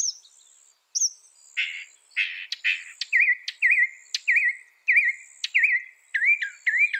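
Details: Northern mockingbird, said to mimic some 200 sounds, singing a varied sequence: a few high whistles, harsh raspy notes, then a looping warbled note repeated about six times before switching to a new rising phrase.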